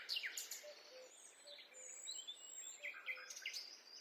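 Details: Forest birds give scattered high, downward-slurred chirps and thin whistles over a soft hiss of background noise, with faint low notes repeating.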